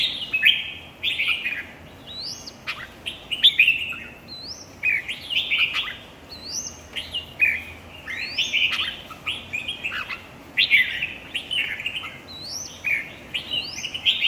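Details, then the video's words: Red-whiskered bulbuls singing in a competition: short, loud, warbled whistled phrases repeated in bursts about every second, some with rising upslurred notes, overlapping phrases suggesting more than one singer. "chào mào thi đấu 3"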